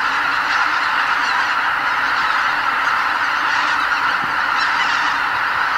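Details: Greater white-fronted geese, nearly 80,000 birds, leave the roost at dawn at Lake Miyajimanuma, Bibai, Hokkaido, in spring migration; countless overlapping honks merge into a steady roaring chorus.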